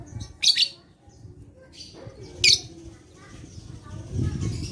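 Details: Lovebird vocalisation meant to coax other lovebirds into song: two loud harsh chatter bursts about two seconds apart with faint twitters, over noticeable low rumbling background noise.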